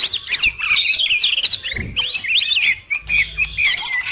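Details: Cucak ijo in a busy lure mix: rapid, crowded stream of sharp chirps, bright whistled slurs and rattling trills, many notes overlapping without pause, a soft low thump near the middle.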